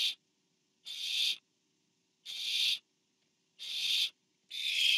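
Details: Food delivery to an owlet at a barn owl nest on 24 September 2015: five raspy, hissing screeches, each about half a second long, repeated every one to one and a half seconds, with soft rustles between.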